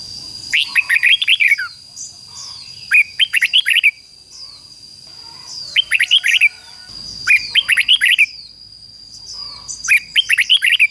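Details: Caged red-whiskered bulbul used as a decoy, singing to provoke rival birds into fighting: loud bursts of four to six rich warbled, slurred whistles, repeated roughly every two to three seconds, with a steady high electronic tone behind.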